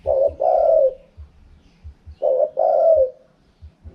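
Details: Low, rolling coos from a spotted dove singing the khaham pa wild style, two matching phrases, each a brief doubled note leading into a longer throaty coo. Scattered dull thuds between the phrases.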